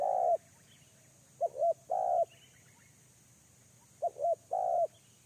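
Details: Spotted dove used as a lure bird, uttering paired coos with a stuttering, double-peaked first note and a fuller second note, phrases spaced several seconds apart, with faint high chirps of other birds.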